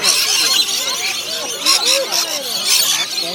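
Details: Lorikeets being fed at Currumbin Wildlife Sanctuary: a dense chorus of harsh, high, overlapping screeches from many birds, with faint voices of people underneath.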